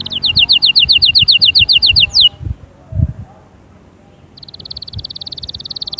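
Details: Canary singing to encourage chicks to sing and get females ready: a crisp rolling tour of about fifteen repeated notes, a pause with soft low knocks, then a fast buzzy trill resumes.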